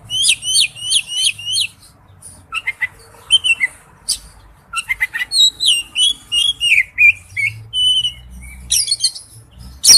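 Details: Male oriental magpie-robin calling to a female, opening with a fast series of repeated high twittering notes, then varied whistles, rising slurs and scratchy chirps delivered in lively bursts.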